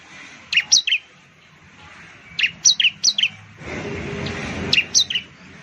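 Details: Bar-winged prinia, known locally as ciblek, sings sharp high chirps in quick bursts of three or four, each note sliding downward, with pauses between bursts and a short rush of broadband noise near the end.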